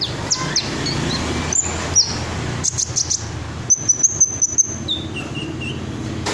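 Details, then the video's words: Red sunbird with a fast string of high sharp chips, then lower whistled notes, over low background hum. "Burung Kolibri Ninja Dada Merah Joss , isiannya Mantap , Red Sunbird"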